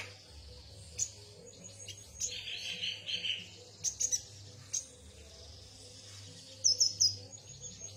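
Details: A yuhina sings sparse high chirps and a lower burry phrase, ending with a quick trilled burst, over a faint steady hum.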